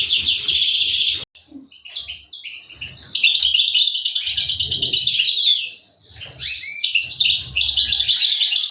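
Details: Feeding of goldfinch chicks by their parents in an aviary, 2023; high scratchy twittering breaks off after about a second, returns softer, then builds into a loud, busy chorus, with low bumps beneath.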